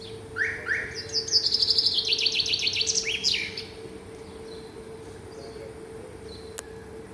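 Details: Bird singing in the morning: two rising whistled notes, then a fast run of high repeated chirps that slide lower and quicken, lasting about three seconds, over a steady low background hum; a man speaks afterward.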